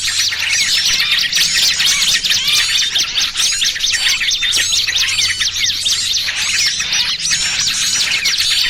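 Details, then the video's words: Noisy lure for catching small birds, trucukan combined with pinched small-bird sounds: rapid, overlapping shrill chirps and twitters form a dense, restless chorus throughout, with a soft low hum in the background. "Suara Pikat Burung Kecil"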